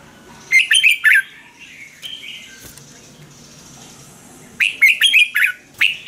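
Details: Red-whiskered bulbul from Thailand, a recording played to caged birds to train or excite them: two bursts of quick, bright chirping notes, four to five per phrase, separated by a few seconds of near quiet with a soft warble.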